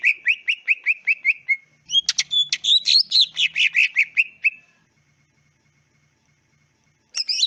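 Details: {'caption': 'Tutor recording of a greater green leafbird: fast repeated whistled notes, then a noisy burst of varied chattering phrases, a long silence, and one final short harsh note.'}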